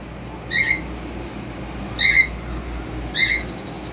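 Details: Cockatiels as a family at the cage, chicks learning independence and fed by their father; three short grating screeches with stacked overtones, roughly one every 1.3 seconds, against steady indoor background noise.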